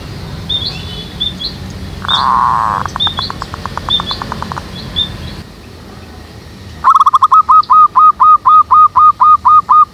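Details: Zebra dove calling in a jackfruit tree behind a house, used as a lure for trapping doves: after a stretch of mixed background noise and faint high chirps, a fast run of about a dozen short, even coo notes repeats rapidly.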